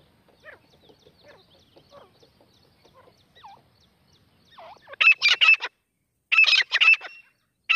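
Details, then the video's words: Wild grey francolin: soft scattered chirps at first, then bursts of loud, grating, rapidly repeated notes in clusters during the second half. "जंगली देशी तीतर की आवाज।The sound of a wild native pheasant | partridge calling"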